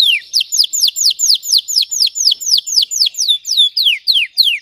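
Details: Red Belgian canary giving deep, intense song meant for training: a steady series of downslurred whistled notes, roughly three per second, bright and high, repeated evenly with no other sounds.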